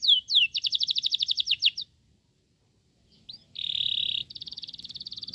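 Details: Fast-growing Sooty-headed bulbul chick fed crickets: a burst of swooping squeaks and rapid high stutters, a pause of silence, then a harsh buzzing rasp into quick chatter.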